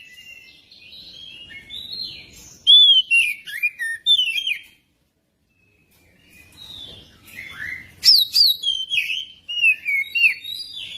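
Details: Magpie-robin song meant to stimulate another bird to sing: soft warbling building to loud whistled phrases with descending slurs, a brief silence, then a second energetic burst of varied sweeping whistles and chips.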